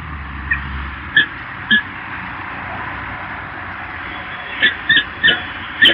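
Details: Peregrine falcons at the Evoluon, Eindhoven, on 8 April 2022, giving short, squeaky, slightly harsh notes, singly and in quick clusters of two or three, over a steady hiss of wind or traffic.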